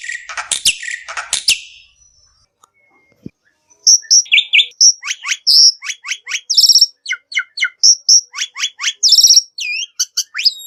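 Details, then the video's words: Black-winged myna song as a lure for other birds: a harsh chattering opening, a quiet gap, then a long varied series of crisp whistles, clicks and short up-slurred notes in fast succession. "Suara Burung Jalak Putih"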